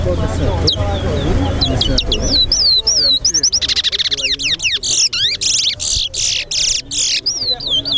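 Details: Chestnut-bellied seed finch (towa towa) singing in a bird singing competition at Lusignan bird ground; after two seconds of low murmuring, rapid clear whistled notes, slurred upward and downward sweeps and dense trilled bursts run continuously to the end.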